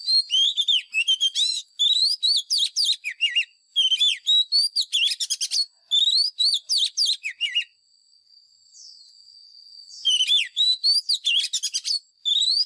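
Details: Lure white-rumped shama sings for training caged birds: dense, rapid phrases of sweeping whistles and sharp twittering notes, several bursts of one to two seconds with brief pauses, and a steady high-pitched whine in the background.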